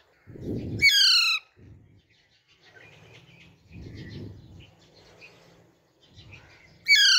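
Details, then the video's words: Baby Alexandrine parakeet calling: harsh, raspy screeches in short bursts at the start and the end, with softer chattering and murmuring notes between, and low rustling sounds. "Natural Voice of Baby Raw Parrot"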